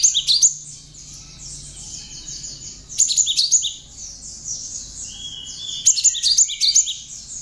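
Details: Tame, hand-reared Java sparrow singing a continuous high, twittering chatter that includes mimicked bar-winged prinia notes, broken every three seconds by bursts of sharp, bell-like chips.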